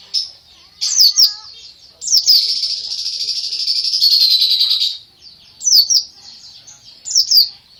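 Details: Greater green leafbird singing as a master song bird: sharp high chirped notes, then a long sustained, slightly trilled whistle for nearly three seconds, followed by further short clipped phrases.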